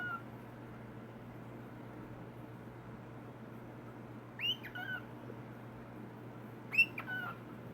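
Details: Four-month-old cockatiel playing peekaboo gives two short, rising whistled calls over a steady indoor hum.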